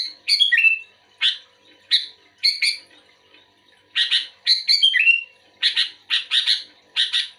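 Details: Responding to a second bulbul, a sooty-headed bulbul gives spaced bright chirps and twice a tumbling phrase that drops into a lower whistled tail, with quiet gaps between bursts.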